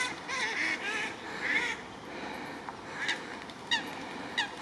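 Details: Moorhens guarding their young and territory: harsh, nasal honking calls fill the first two seconds, then short, sharp clicking notes spaced about a second apart, over background hiss.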